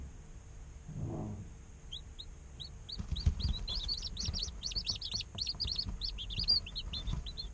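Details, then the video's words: Incubator with day-old chickens; a low soft thud early on, then sparse high chirps that build into a dense chorus of overlapping peeps from many chicks, over a continuous hum. "Chicks Chirping Sounds - Baby Chicken Sounds"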